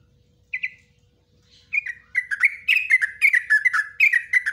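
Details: Yellow-vented bulbul performing its ropelan song with nguklik and ngecruk phrases, used to train bulbuls. A single short chirp opens, then the bird breaks into a dense, continuous stream of quick, gurgling, warbled notes.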